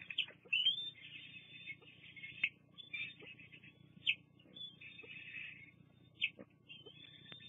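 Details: Bald eagle nest at Fraser Point, 24 June 2022, recorded by a live cam as an adult female drops food and leaves two young to feed themselves. High squealing whines come in bursts, with sharp chirps about every two seconds.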